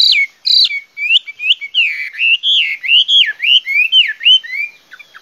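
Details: Clear, loud whistled song of a Chinese hwamei, with sweeping slurred notes that climb and drop in quick succession, forming a continuous, varied melodic run with short gaps.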